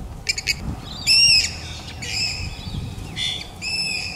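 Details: Rainbow lorikeets feeding in Australia give loud, harsh, high screeching calls in quick bursts of about half a second, with short chirps between them.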